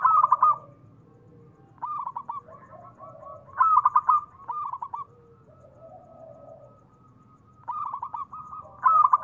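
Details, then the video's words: Local zebra dove calling steadily as a lure to stimulate silent doves into calling. Repeated phrases of rapid, ringing stuttered coos come every two seconds or so, with quieter lower murmuring notes between them. "perkutut lokal gacor SUARA TEMBUS 100%pancingan perkutut cepat Nyaut"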